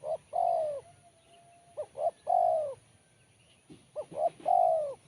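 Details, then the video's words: A spotted dove delivers its 'kuk 1' song with a sharp, crisp tone. Repeated phrases of two quick hooting notes end in a sustained, downward-curving coo, against a quiet hum. "Kuk 1 Suara Mersik Tajam"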